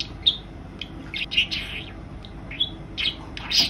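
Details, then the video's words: Female budgerigar kept indoors as a pet, chattering in a run of short sharp chirps and scratchy notes, some rising, scattered irregularly across under four seconds. "セキセイインコ メスのおしゃべり！ 女子インコでもおしゃべりします"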